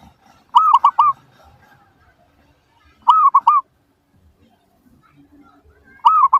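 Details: Zebra dove lure song to provoke responses from other doves: three phrases of three quick rolling coo notes, repeated about every two and a half seconds against a quiet background.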